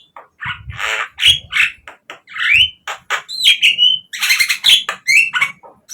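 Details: Javan myna singing as a lure for captive birds, mixing harsh squawks with clear whistled slurs that rise and fall, spaced by short pauses, with faint low thumps.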